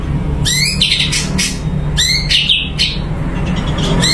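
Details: Caged blue-winged leafbird (cucak cungko) singing actively: sharp rising whistled sweeps with buzzy trills, repeated in quick bursts over a steady low hum.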